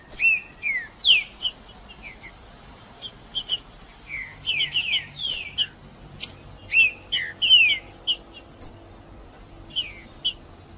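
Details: Green-winged saltator, macheando song for stimulating birds to sing: rapid mix of sharp high chips and loud falling whistles, phrases packed closely over ten seconds with brief pauses.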